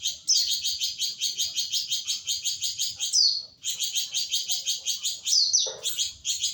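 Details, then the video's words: Flamboyan bird singing a long rapid chatter, known as nyecret, trained with shama and greenbul song. High, dense, buzzy pulses repeat quickly, interrupted by brief downslurred whistles and one lower note near the end. "Flamboyan nyecret panjang"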